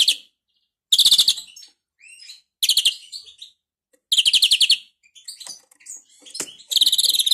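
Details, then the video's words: A European greenfinch described as a faulty, stuttering singer gives loud, buzzy, rattling trills in bursts about every one to two seconds, with softer twittering notes between them. "Flurya Kuşu ötümü 978 - Hatalı Kuş (Bad sound)"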